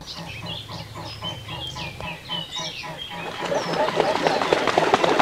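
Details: Mute swans taking off and flying over European ponds in autumn or spring: a regular pulsing wing throb at first, with sharp whistled calls of other birds above, then rising rushing noise.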